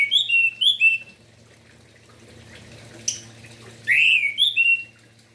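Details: Vigorous morning song of an orange-headed thrush, aimed at stirring other thrushes to sing: paired whistled phrases with fluty slurs, a brief sharp note midway, and a final rich rising-falling whistle over a low hum.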